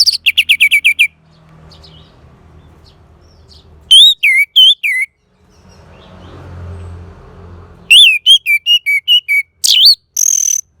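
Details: An orange-headed thrush pours out fast whistled trills: a quick series of sharp repeated notes, then looping slurred whistles. After a noisy pause, a longer varied phrase of descending whistles ends in scratchy high notes.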